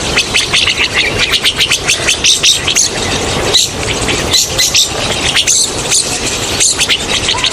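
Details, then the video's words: Chattering flock of rosy starlings, used as a hunting lure: a continuous stream of rapid, grating squeaks and chirps, pulsing in short bursts several times a second, with occasional higher whistled notes over persistent hiss. "Best sound of Rosey Starling for hunting"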